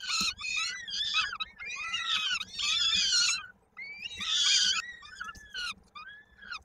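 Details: Nestling peregrine falcon in Koszalin, Poland, 16 May 2022, with its foot stuck in a beak during a feeding. Loud, hoarse, screeching wails, some drawn out, others clipped, separated by short pauses.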